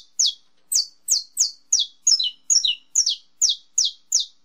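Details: Estalo-style song of a saffron finch: steady, piercing chips that each drop quickly in pitch, delivered roughly every third of a second, with a few split two-note figures midway; no other sounds.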